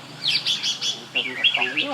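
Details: Red-whiskered bulbul singing a quick run of clear, bright whistled notes, a rising cluster followed by a few warbled phrases, with faint human voices in the background.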